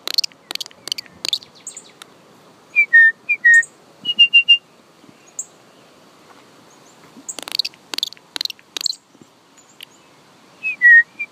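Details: A small songbird, either a finch or a cardinal, gives clear whistled notes, some slurring downward and some held steady, in twos and threes, mixed with bursts of dry, sharp chips.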